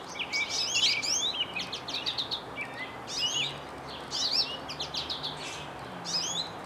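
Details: Goldfinch singing in spring from a birch tree, having left a bird feeder: rambling bursts of sweet high twitters, rising and falling whistles and quick trills, broken by short pauses, above a low background hiss.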